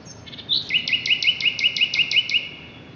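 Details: Common nightingale singing at Brede High Wood on 2 May 2012: a thin opening note, then a fast, even series of about ten repeated chopped notes, roughly five per second, over faint background hiss.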